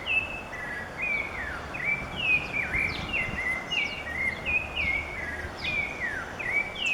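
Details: Brazilian Rufous-bellied Thrush delivering a continuous string of whistled notes, each dropping or sliding, sung in quick succession without breaks, against a persistent rushing background noise.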